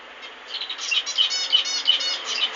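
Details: Zebra finch song: a quick run of nasal, buzzy, harmonic-rich notes, repeated in close succession and rising and falling in loudness, with no other clear sounds.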